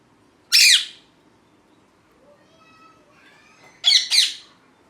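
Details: Talking pet rose-ringed parakeet, a green ringneck, letting out a loud harsh squawk, soft murmured talk-like notes, then a doubled harsh screech.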